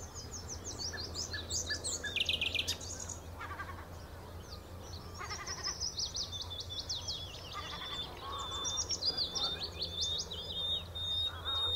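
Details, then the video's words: Common nightingale singing at the Horsmeertjes on Texel: rapid high trills, buzzy rattles and clicking phrases in bursts, with a steady low hum beneath. "Nachtegaal aan de Horsmeertjes op Texel"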